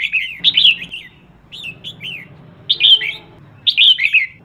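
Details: Female red-whiskered bulbul calling to provoke males: bubbly rolling whistles, then three softer swooping notes, then two more energetic warbled bursts spaced about a second apart over a low hum.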